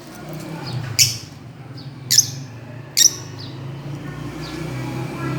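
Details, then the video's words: Fischer's lovebirds swinging and playing, three sharp, high chirps spaced about a second apart with fainter twitters after them, over a steady low humming background. "Parrots playing and chirping"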